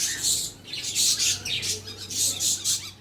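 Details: Fed birds calling in a loud, shrill chorus of very high chirps in pulsing bursts about every half second, with a soft low hum beneath.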